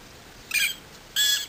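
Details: Black Francolin (Francolinus francolinus) at Agamon Hula, Israel, 16 March 2010, gives two harsh, grating, high rasping notes about half a second apart over faint background hiss.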